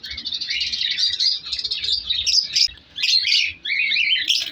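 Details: Breeding colony of colour African lovebirds in an aviary during winter. Steady high, shrill twittering from several birds with sharp squeaks and brief breaks.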